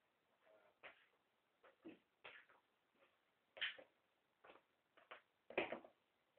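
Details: Pet African grey parrot indoors in a small room, swearing and saying "F it" as a household member walks through the door, a habit it already had when bought; a string of short, harsh, speech-like syllables at irregular intervals.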